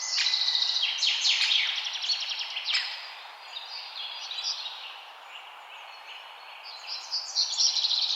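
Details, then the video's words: Birds singing outdoors: dense, high-pitched chirps and rapid trilled phrases crowd the first three seconds, fade to softer scattered twitters mid-clip, then a fresh burst of bright, quick notes returns near the end, over faint background hiss. "Birds Singing"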